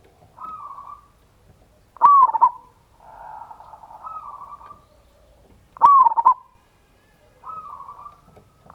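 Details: Loud local zebra dove lure song, ngayer kerot nutut style, used to provoke other doves into singing: sharp clicking cooed phrases about every four seconds, alternating with softer, flat, drawn-out whistled notes.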